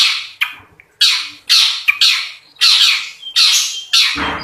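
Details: Long-tailed shrike in energetic song with coarse filler and rapid rolling bursts. A fast run of harsh, squawking notes follows in close succession, with a brief low thump near the end.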